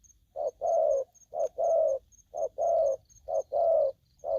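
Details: Aggressive spotted dove giving short-long coo pairs, the long note steady and mellow, repeating roughly every second, with a faint high-pitched ticking tone running behind.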